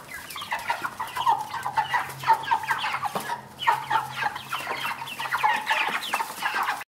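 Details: Domestic hen and pullet voices: continuous chattering clucks, short and harsh, rising slightly at times, coming in quick overlapping series from more than one bird, a short lull near the middle, a low steady hum below.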